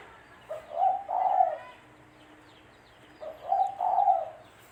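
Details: Spotted dove coo used to lure birds for trapping, two mellow low phrases of a short note then a longer wavering coo, about two and a half seconds apart, with soft twittering of small birds behind.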